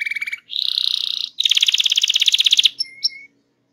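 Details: Canary song of the rolling type used to prompt other canaries to sing: a lower pulsed trill, a buzzy high trill, a long fast pulsed roll, then two short thin notes.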